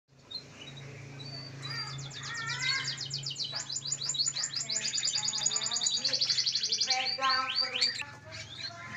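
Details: One-month-old canary chick, local type, singing a varied high twittering song with rapid trilled runs and sweeping notes; a steady low hum runs underneath.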